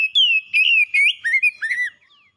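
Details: Pet oriental magpie-robin kept caged, giving a short, loud phrase of clear whistles that slide downward, ending in a couple of swooping notes.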